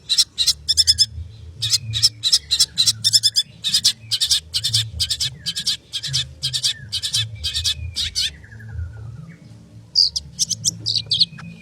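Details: Long-tailed shrike singing a fast, dense song of harsh, scratchy repeated pulses, several per second for about eight seconds, then a pause and a few sharp high squeaky notes near the end.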